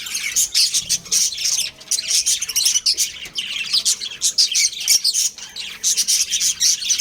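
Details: Caged budgerigar breeding pair chattering nonstop: a busy stream of thin, high chirps and scratchy twitters that barely pause across the recording.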